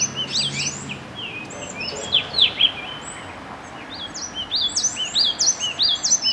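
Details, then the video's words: Yellow tit calls: clusters of high, sharp, down- and up-slurred chirps with a quieter gap in the middle, then a dense burst of rapid chirping toward the end. "黃山雀 Yellow Tit"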